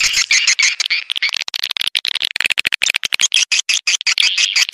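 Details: Swiftlet lure call used in swiftlet farming, an old call sound from before newer versions: dense, rapid chattering chirps and twitters, sharply chopped into many short bursts, repeating about three times per second with brief silent gaps.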